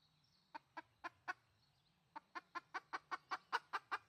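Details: Red junglefowl hen, a lure call: two series of short, even clucks, about four then about ten, repeated roughly every quarter second after a brief pause, over a low steady hum.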